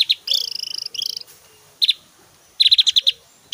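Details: Actively singing Javan grey-throated white-eye with varied song and loud 'tembakan' shots. It opens with a long, fast, buzzy trill of high notes, then a pause, then clusters of sharp ticking notes in quick succession.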